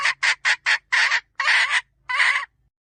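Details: Hen with four quick, rasping cackle notes, followed by three longer, drawn-out harsh squawks spaced by short gaps. A faint low murmur sits underneath.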